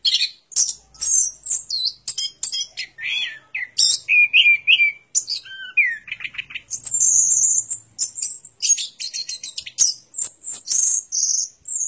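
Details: A long, energetic orange-headed thrush song of very high chips, buzzy trills, short rising whistles and steady high sustained notes, varied and nearly continuous.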